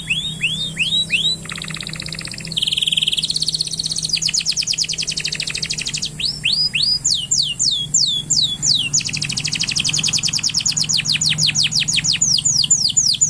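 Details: Excited male canary singing in a cage to stimulate the female to mate: varied phrases of descending whistled slurs, a low buzzy trill, and long fast repeated notes, over a steady low hum.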